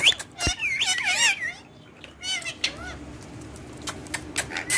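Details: Pet ringneck parakeets romping on a table, described as talking in Urdu and Hindi; a cluster of wavering, harmonic chatter notes early on, then scattered clicks and softer squawks indoors.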